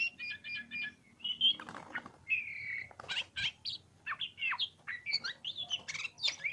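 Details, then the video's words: Oriental magpie-robin (kacer) in ngobra song: varied whistles and rapid chattering notes, with wing-flapping heard early on. "KACER POCIKU NGOBRA NGOBRA"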